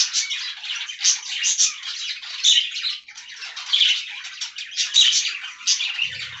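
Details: Budgerigars in an aviary feeding on fresh green leaves; a steady, high scratchy chatter of many overlapping chirps and squeaks, clean with almost no low sound, ending with a soft thud.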